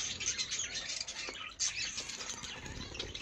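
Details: Colourful budgerigars in an aviary, a flock chattering continuously with dense high warbles and chirps, no pauses, overlapping voices throughout.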